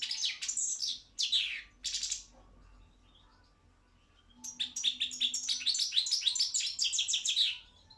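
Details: European goldfinch of the Balkan subspecies Carduelis carduelis balcanica, a competition bird entered in an online world song championship: bright twittering phrases high in pitch, two short bursts then a long rapid tinkling run with quick notes and buzzy trills.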